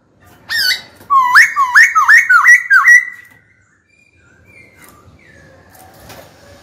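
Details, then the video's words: White-cheeked laughingthrush in a cage singing to challenge a rival into fighting: one sharp note, then a fast run of five rising hooked whistles, followed by faint soft chirps and background noise. "Khiếu hót sắc nét, rõ ràng, kích bổi chuẩn, bổi nhanh mở mỏ đấu thôi!"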